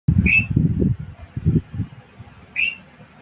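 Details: A talking African grey parrot calling for a lory bird gives two short, clear whistles, each slightly rising with a ringing overtone, about two seconds apart, over low thumping and room rumble.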